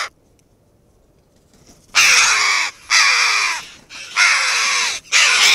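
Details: Red-billed choughs in a sociable flock on the western coast of Asturias, Spain, suddenly bursting into a loud commotion. After a quiet start come four long, rasping, overlapping calls in close succession, harsh and noisy.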